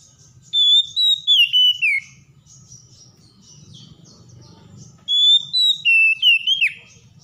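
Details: Oriental magpie-robin, stressed and reluctant, provoked into song: two loud phrases of sustained whistled notes stepping down in pitch, each followed by quick twisting slurs, with a soft low rumble between.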